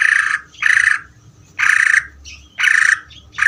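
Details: Greater green leafbird giving loud, harsh, grating bursts about once a second, each lasting a third of a second, with faint higher squeaks between them.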